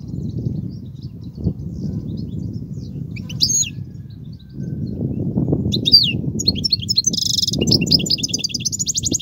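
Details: European goldfinch song for teaching young birds: a few high slurred notes at first, then a lively run of tinkling twitters and a buzzy rattle near the end, with steady low rumbling noise throughout.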